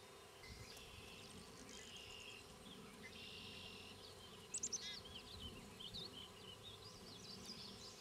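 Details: At a fence-post nest near Queen's University Biological Station in spring 2006, banded Black-capped Chickadee parents feed their nestlings. Scattered high chips and buzzy squeaks are heard, with a brief louder burst midway.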